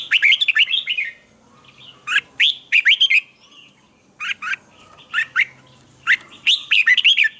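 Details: Red-whiskered bulbul giving intense morning song with twisted double notes, meant to train other bulbuls. Rapid bursts of bright, looping whistles repeat about every second, some notes sharp and squeaky.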